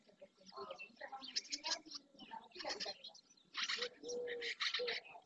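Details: Dozens of barn swallows, many of them juveniles, gather in early June at the edge of the marsh in Doñana National Park, Andalusia, Spain. Dense bursts of high, scratchy twittering chirps overlap, with lower drawn-out tonal notes and voices behind.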